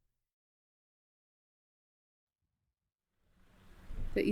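Three seconds of silence, then a rising low rumble and a burst of speech-like noise, with no animal voice.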